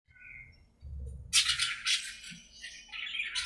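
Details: Budgerigars playing and talking to each other in their aviary: two faint whistled tones, then a burst of harsh, scratchy chatter with dull low thumps underneath.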